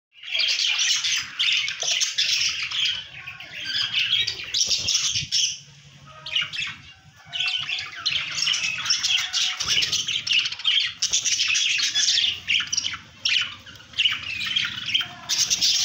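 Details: A breeding pair of budgerigars in Azamgarh, Uttar Pradesh, chatters continuously with dense, scratchy warbles and squawks.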